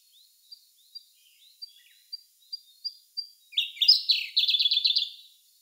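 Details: Siberian blue robin in song, recorded May 2021 on a Sony A1: thin, high introductory notes that quicken, then a loud, rich, warbled trill of rapidly repeated notes lasting nearly two seconds.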